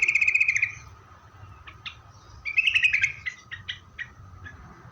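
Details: Yellow-vented bulbul song played to draw replies from other bulbuls: a fast ringing trill, then a pause, followed by a busier stretch of chirps and short scattered notes.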